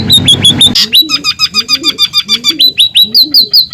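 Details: Scaly-breasted munia, original sound for tutoring cage birds, singing vigorously: a brief low hum, then a steady rapid string of crisp hooked chirps, nearly three a second, with a faint soft undertone.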